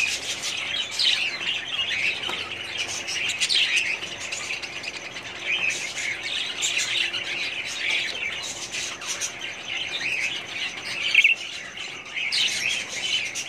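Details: Budgie breeding colony recorded in 2017: continuous flock chatter of scratchy warbles, chirps and short squawks, swelling and easing over several seconds, one sharp squeak late on.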